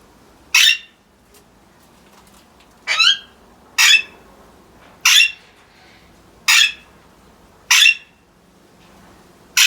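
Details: Alexandrine parrots calling: seven loud, grating screeches in quick succession, some falling slightly in pitch, roughly one each second, with a faint hum between calls.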